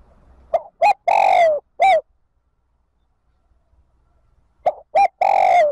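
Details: Decoy spotted dove calling wild doves back to the flock. It repeats the same loud cooing phrase twice about four seconds apart. Each phrase has short clipped coos leading into a long, rough, drawn-out note.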